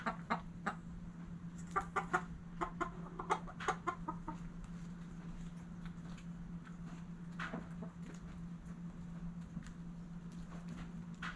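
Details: Backyard chickens at sunrise, hens giving quick clucks in loose bursts of two to four, heaviest in the first few seconds and then thinning out, with a constant low electrical hum underneath.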